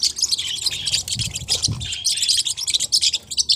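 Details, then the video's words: Short burst of Forpus parrotlet chatter, sharp high chirps coming in quick irregular clusters, with a couple of soft low knocks midway. "เสียงนกแก้วฟอพัส เพราะมาก"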